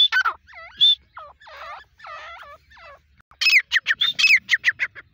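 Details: Grey francolin, a teetar of the local Desi or Dakhni type, calling in harsh repeated notes: a series of squawky, wavering phrases, a short pause, then a faster run of loud, sharp, clipped calls at the end.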